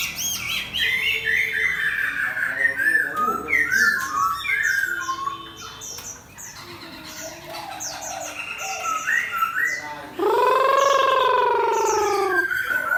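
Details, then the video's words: Chinese hwamei competition bird facing a fighting bird, delivering quick varied whistles and chattering phrases, a quieter middle stretch, then a loud, harsh, drawn-out harmonic call near the end. "Hoạ mi 498: Xoè không khép (ốp đấu chim chiến)"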